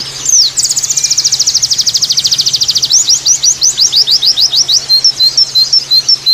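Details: White-eye singing tembakan with variations, opening with a dense, fast, very high rattling trill of identical notes, then switching to slower, spaced, sharply rising and falling whistled notes; faint low hum behind.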